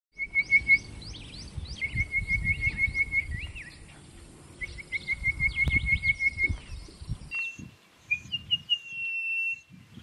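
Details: Orange-breasted bush-shrike calling at Satara in Kruger National Park: thin, high whistled notes in quick repeated phrases, each a fast series of short piping notes, over steady low rumbling background noise.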